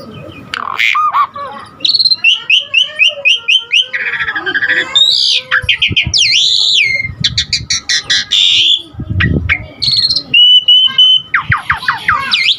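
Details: Lively Asian pied starling song, rich and varied, meant to draw out and train other starlings: a continuous jumble of whistles, buzzy rasps, clicks and sliding notes, with a rapid run of descending chirps near the end.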